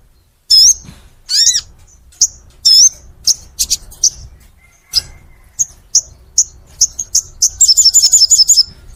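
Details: Crimson sunbird (sogon) in clear, long song. Loud slurred whistles give way to spaced single high 'tsip' notes, ending in a fast, bright trill.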